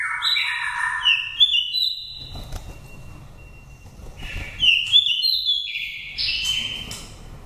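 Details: Five-season nest-raised oriental magpie-robin from Dak Lak, singing a pure wild-type lure song. Rising then stepped whistled notes, a pause, and then a fresh run of high sliding whistles ending on a long held note.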